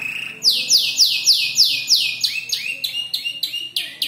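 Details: Young canary, about five months, assembling its song from copied bird calls: loud downward-sweeping chirps repeated rapidly, shifting into shorter, higher rising notes.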